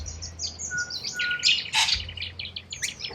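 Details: Flock of wild corella cockatoos in Australia, rapid scratchy chatter with one loud, broad screech near the middle, and soft steady music notes running underneath.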